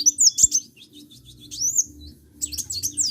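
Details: Short burst of sunbird song: thin, high, slurred whistles and squeaky chirps, a brief lull, then another rapid cluster of bright notes.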